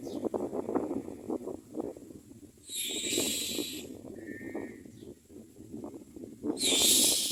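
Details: Common mynas at a nest feeding their young: harsh, rapid chattering bursts, about three a second, broken by two loud hissing rushes and a brief thin whistle.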